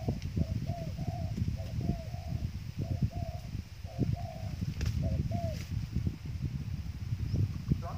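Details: Dove calling as trap bait: a run of short cooing notes with a bent, hooked shape, several repeated in quick groups, partly buried under heavy low rumbling and rustling noise.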